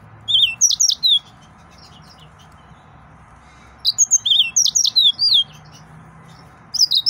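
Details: Excited male yellow-fronted canary, a Mozambique singer, delivering two bursts of high, sweet whistled and trilled phrases with rapid upslurred and downslurred notes, separated by a quiet pause and a faint low hum.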